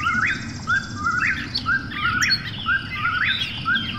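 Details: Eastern whip-poor-will calling at night: a whistled three-part phrase, low short notes rising into a sharp upswept final note, repeated about once a second, with faint higher chirps from other birds behind.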